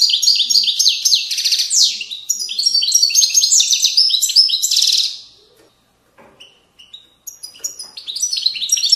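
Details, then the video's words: European goldfinch singing in the widaniya style, a wild-type song from Moroccan valley banks; rapid twittering run of high chirps, buzzy trills and descending notes for about five seconds, a pause, then more scattered tweets. "تغريد ويداني أصيل من ضفاف الوديان المغربية goldfinch hason chant widaniya chardonner"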